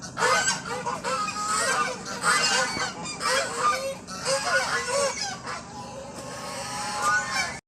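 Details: Domestic geese playing in front of a house honk loudly and almost without pause, harsh nasal calls overlapping in quick bursts every second or so, as a dog barks at them.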